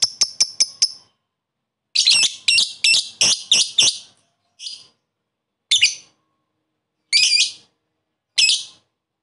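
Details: Koek call of a lovebird challenging a rival to raise other lovebirds' excitement. Five quick ticks, a pause, then a cluster of harsh shrill squawks. Single screechy calls follow at gaps of about a second and a half.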